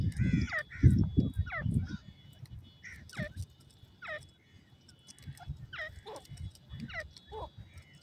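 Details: Young grey francolins give a steady run of quick descending squeaky notes, each dropping steeply in pitch and spaced about half a second apart. Heavy low thumps and muffled background noise open the recording.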